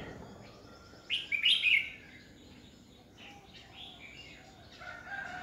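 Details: Decoy Red-whiskered bulbul in a 2020 training recording for competition singing: one brief, bright warbled phrase near the start, then only faint, distant-sounding notes over a steady background hiss.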